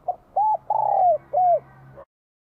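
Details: Bell-voiced spotted dove in Vietnam, spring 2023, singing to stir up wild doves: a soft introductory note, then three rounded coos with the middle one drawn out and sliding downward, then silence.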